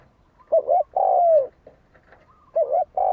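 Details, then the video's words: Spotted dove cooing as a lure to stir up fighting: a wavering double note and a long falling coo, a soft extra note, then the phrase starting again. "Tiếng chim cu gáy đấu bổi dùng kích mồi cực chuẩn"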